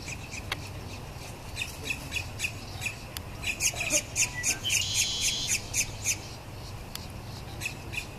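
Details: Red-winged blackbird: faint, sharp chip notes scattered over steady low rumbling noise, building to a quick buzzy trilled run in the middle, then sparse chips again.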